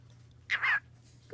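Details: Pet cockatiel (Nymphicus hollandicus), male, gives a brief, raspy burst of imitated speech indoors, prompted to say hello.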